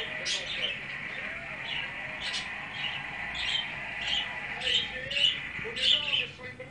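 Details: Parakeets playing inside a tank cage: short bright chirps and squeaks burst out roughly every half second, growing livelier toward the end, over a steady high whine and faint background murmur.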